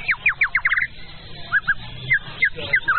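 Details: White-rumped shama (Copsychus malabaricus) song: a quick run of about eight down-slurred whistles, then scattered short fluty notes over a low background hum.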